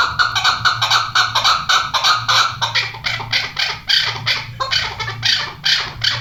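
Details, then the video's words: Chukar partridges, a hunting bird and a female, keep up a dense run of harsh, clipped chuk notes that blur and overlap in places. The series is loud and sustained, with a faint low hum in the background. "keklik sesi shikari chakor aur female chakor ki awaz"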